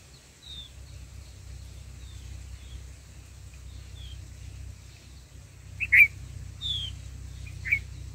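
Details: A black-headed bulbul at its nest, where a mother feeds her nestlings, gives thin, high chirps, faint at first, then two sharp, louder notes near the end, over a low steady background hum.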